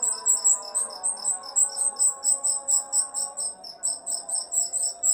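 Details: Rio-rio singing, used as a tutor for songbirds: rapid, evenly spaced sharp high chirps, around three a second, continuing without pause, accompanied by quiet instrumental music in the background.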